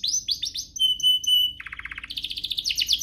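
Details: Canary song for stimulating other canaries: quick rising notes, sustained pure whistles, then lower rattling trills and fast buzzy repeated notes.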